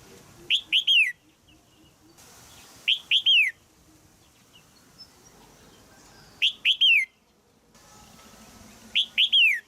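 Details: In a Thai cage, a female red-whiskered bulbul gives repeated chirps meant to spur a young male into song; four bursts of three quick, downward-slurred notes, roughly every two to three seconds.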